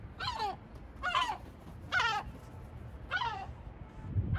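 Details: Sea gull in Batumi giving four harsh, downward-sliding mewing calls, each about half a second long and spaced roughly a second apart, over a low background rumble.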